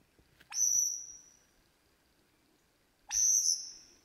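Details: Superb lyrebird singing wild in the Australian bush as it copies other birds: two long, intense, very high ringing whistles that swell sharply and slowly fade, roughly two and a half seconds apart, over faint background hiss.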